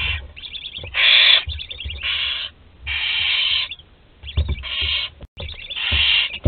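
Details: Barn owl nestling left alone in the nest, Théding, 26 July 2020: dense, almost continuous run of loud breathy screeching hisses of varying length, interspersed with quick clicking twitters and light knocking sounds.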